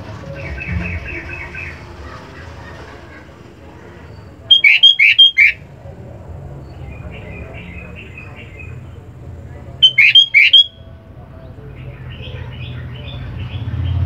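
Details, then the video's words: Sooty-headed bulbul, used as a master song to train and lure other songbirds, gives loud bursts of three or four bright, bubbly whistled notes about every five seconds, with softer chattering phrases between and a faint low hum. "kutilang full power masteran"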